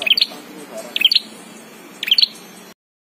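A prinia gives three quick bursts of high, sharp chirping notes, one burst roughly every second, over a faint background hiss.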